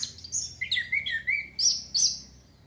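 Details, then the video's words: Short snatch of orange-headed thrush song for stimulating breeding urge: a run of twittering notes slides into a lower warbled phrase, then two sharp, high accented notes close it. "TERAPI ANIS KEMBANG PUNGLOR MEMANCING BIRAHI BIAR CEPET GACOR"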